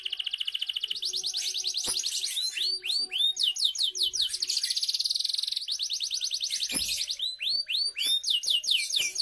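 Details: Canary song played to coax young canaries into singing: fast rapid trills around the upper range, alternating with repeated downward-sweeping whistled notes and buzzy rolling phrases, continuous and loud throughout.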